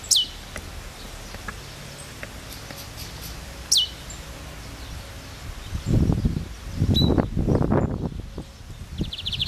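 Two thin, very high notes of a Lined Seedeater, each sharply downslurred, about three and a half seconds apart, followed by loud rustling and thumping.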